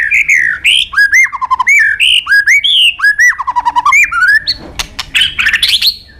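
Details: Top-class white-rumped shama singing as a tutor for training contest birds: varied loud whistled phrases with quick rising and falling slurs and chattering notes, ending in a burst of harsh scratchy chips.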